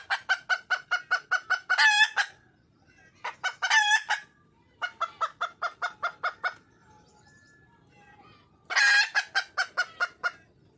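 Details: Wild red junglefowl hen calling for a male: bouts of rapid, evenly spaced clucking notes, about eight to ten per burst, with louder, harsher squawking notes between bouts and short quiet gaps.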